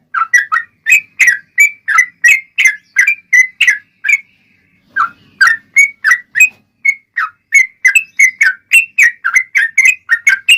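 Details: Yellow-vented bulbul singing vigorously as a lure for other bulbuls: a steady string of liquid, slightly descending chirps about three a second, broken by one brief pause.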